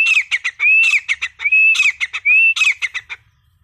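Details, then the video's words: Grey francolin giving a fast series of rising whistles mixed with sharp, squeaky broken notes, the phrase repeated about every 0.75 seconds before stopping near the end. "Kamuju Sound"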